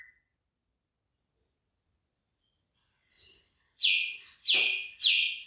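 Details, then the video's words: Bird song in a rice field with rice coming into ear: after about three seconds of quiet, a thin whistle, then three loud, clear, descending whistled notes, each about 0.6 seconds apart. "ฟังเสียงนกร้อง เพราะมาก"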